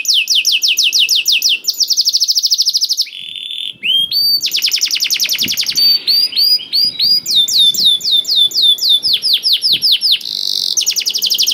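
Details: Canary gacor song for coaxing silent canaries to sing: dense high trills, metallic rattles and bursts of rising and falling chirps change rapidly across nearly twelve seconds of unbroken singing.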